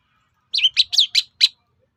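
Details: Long-tailed shrike singing, used as a lure to provoke other shrikes into replying: five quick high chirped notes in a tight burst, each sharply inflected, with a clean quiet background.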